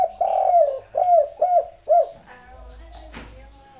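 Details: A 'kuk 3' style song from a spotted dove: four smooth, low coos, the first drawn out and the rest short and arched, then fading murmurs and a sudden click.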